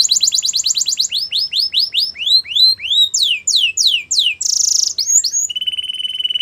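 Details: Canary song for training, a quick trill slowing into loud rising-falling swoops, a short buzzy burst, then a steady low buzzy trill with a thin high whistle above.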